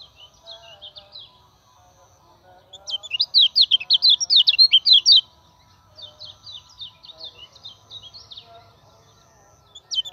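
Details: Common iora song as a lure for training other birds: soft scattered chirps, then a loud burst of rapid high zigzag notes lasting about two seconds, followed by quieter twittering.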